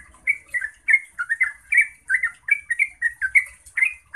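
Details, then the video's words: Yellow-vented bulbul in full song, used to make other bulbuls respond: quick, liquid, gurgling notes, some rising and some falling, strung together almost without pause. "Trucukan bakal NYAUT dan GACOR setelah dengar BURUNG Trucuk ini NGEROPEL"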